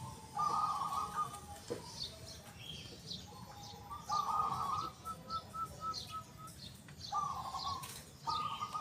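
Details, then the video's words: A local zebra dove sings in a loud, clear 'kung' voice: warbled coo phrases, then a string of quick even beads of notes, then more rolling coos. Other birds chirp in the background. "PERKUTUT LOKAL GACOR SUARA KUNG BESAR YANG KERAS & JERNIH"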